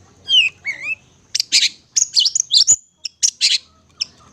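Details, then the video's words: Long-tailed shrike singing, recorded for bird luring: two rising whistled slurs open the phrase, followed by harsh, scratchy chattering notes and sharp high clicks with short gaps. "Mp3 burung cendet gacor"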